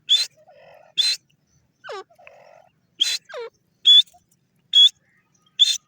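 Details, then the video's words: Calling grey francolin: loud, rasping bursts with a high whistled core, about one per second, interspersed with steeply falling slurred notes and soft low murmurs in the gaps. "francolin bird sound,gora teetar ki awaaz"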